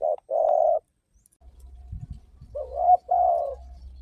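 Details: Spotted dove coos for luring other doves to sing: a quick note followed by a long even coo, a short gap with low thumps, then two more coos closely linked, with a low hum in the background.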